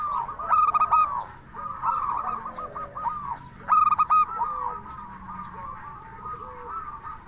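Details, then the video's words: Local zebra dove song, 'crystal voice' style, played to make other doves respond. Two bright ringing phrases about three seconds apart, each followed by softer rippling coo runs, with lower answering coos in the background. "Perkutut Lokal Gacor SUARA KRISTAL Ahlinya Bikin Semua Burung Perkutut Langsung Nyaut"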